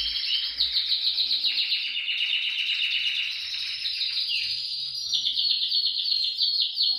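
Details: Canary singing to encourage other canaries, rapid pulsed trills repeated several times a second, descending into lower rolls then rising to bright high tours.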